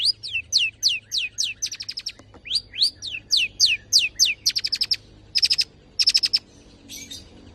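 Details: Tame champion long-tailed shrike (pentet) in full fill-in 'nembak' song for prompting and tutoring other birds: repeated downslurred whistles alternating with fast clicking bursts, trailing off into sparse notes.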